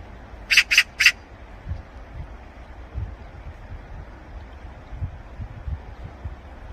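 A Eurasian magpie gives three harsh, rasping chacks in quick succession, then falls quiet over a low background rumble.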